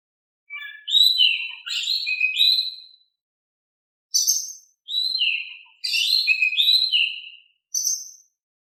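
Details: Singing Oriental magpie-robin, played to stir sluggish birds into responding, delivers varied whistled phrases mixing downslurred notes and sharp high chips, first a long phrase, then after a short gap several quick bursts.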